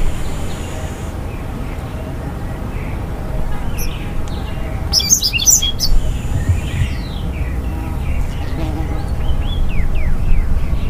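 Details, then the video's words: Black-faced grassquit (Melanospiza bicolor) gives a brief, high, buzzy sputter, followed by faint thin chirps, over a steady low rumble of background noise. "O canto do Capim de cara preta"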